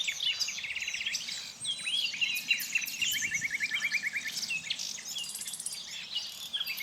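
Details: Common nightingale singing in mature old-growth forest with deadwood and undergrowth. Varied high phrases include a fast, even rattling trill of repeated notes. Other birds sing constantly around it, over a steady background hiss.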